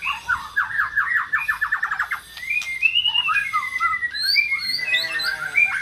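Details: Song of a white-rumped shama, meant to provoke a silent bird into singing: a fast series of downslurred chipping notes, then long clear whistles sliding up and down, ending in a buzzy harmonic note.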